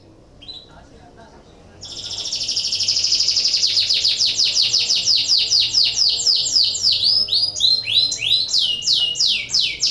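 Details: Breeding-condition canary song used to set other canaries singing: a faint opening chirp, then a long, loud, high rolling trill that grows into rhythmic repeated notes and ends with falling whistled sweeps.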